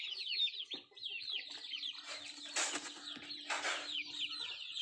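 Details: High, repeated peeping chirps from country chickens during feeding, broken by two loud rushing bursts like flapping wings and a faint steady hum.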